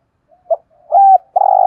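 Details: Spotted dove kept as a decoy to call in wild doves; a soft short note, a firmer held coo, then the start of a long, loud coo.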